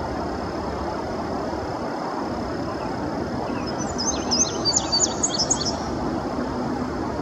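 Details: Indigo bunting male in early May 2019 at Sandy Bottom Nature Park, Virginia, perched up in the treetops: after several seconds of outdoor background noise, a roughly two-second burst of bright, high, rapid paired chirps and slurs, then background again.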